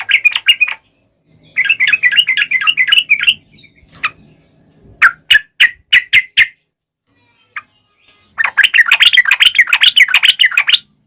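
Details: Energetic yellow-vented bulbul song for prompting reluctant males to sing: gurgling warbled bursts, a series of about six sharp, spaced clicks in the middle, then a dense, rich chattering phrase.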